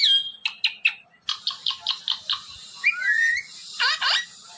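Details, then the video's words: Ring-necked parrot vocalizing: a clear whistled note, then a quick series of short sharp chirps, a sliding rising whistle and a few squawky notes. "Ring Neck Talking Parrot |بولنے والے پیرٹ"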